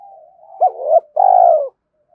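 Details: Spotted dove coo for stimulating decoy birds: a soft wavering lead-in, a short rising hoot, then a long, even, resonant coo ending abruptly.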